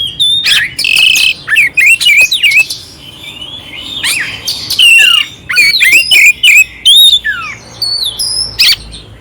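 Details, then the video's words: Oriental magpie-robin song rich in rough fill, intended to rouse an unresponsive magpie-robin. Bright modulated whistles alternate with harsh scratchy bursts and falling sweeps, delivered in clusters with brief quiet spells. "Suara Kacer Jernih isian kasar Cocok untuk masteran untuk menaikkan emosi kacer dingin"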